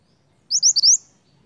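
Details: Vigorous snowy-browed flycatcher song used as a lure for wild birds: a single brief burst of four high, thin, upslurred notes close together, the final note drawn out, with near silence around it.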